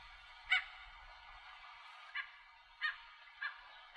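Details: A Bridled Tern calling from its nest with a chick in Arecibo, Puerto Rico, in 2015, gives five short, harsh, nasal calls at uneven intervals of about a second, over a steady hiss like wind or surf.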